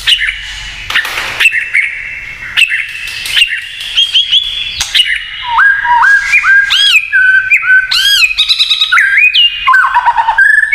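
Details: White-rumped shama giving a kretekan-style song said to provoke other shamas: a long run of varied clear whistles, rising and falling slurs and sharp upswept notes, growing louder and faster toward the end, with a few clicks.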